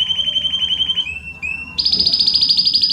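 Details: A Belgian canary sings intensely ('estourado'), with fast rolling trills and a few sliding notes, then bursts into a higher, brighter rapid trill, loud and continuous. The recording is meant to warm up other Belgian canaries.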